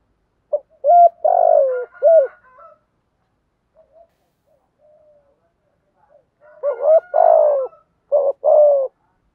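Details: Spotted dove, male and female calling to stimulate: a multi-note cooing phrase of short hooked notes around a long falling coo, soft murmurs, then the phrase repeated with extra clipped coos.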